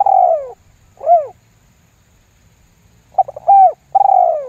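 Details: Lambung guk style lure call of a spotted dove, intended to draw replies from other doves. A long descending coo and a short falling note, a silent gap, then rapid stammering notes, a steady coo and another long downslurred coo.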